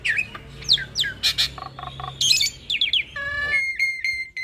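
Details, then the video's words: Hybrid Asian pied starling, a cross of Jalak Suren and Jalak Nias, singing a varied 'ocehan' master song for training cage birds: downslurred whistles, harsh buzzy bursts, a rapid string of stacked notes and a steady whistled tone, with low hum behind. "Masteran Jalak Suren Biar Cepat gacor Dengan Ocehan Jalak Hybrid ASSU - Jalak Suren X Jalak Nias"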